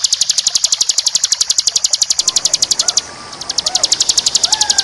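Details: A bar-winged prinia (ciblek) singing as a master song for training: a fast, steady train of high, sharp chips, roughly four a second, with a brief pause. Faint lower whistles from other birds sound behind it.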